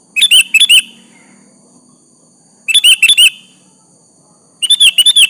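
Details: Three quick bursts of sooty-headed bulbul song, each a tight cluster of two to four liquid whistles, sung as a lure to make a rival answer.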